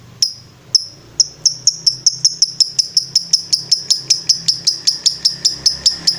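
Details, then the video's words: Lovebird in a master recording for training birds to sing: sharp high chirps repeated steadily, about two or three each second, rising in strength and pace through the clip. "MASTERAN LOVE BIRD NGETREK"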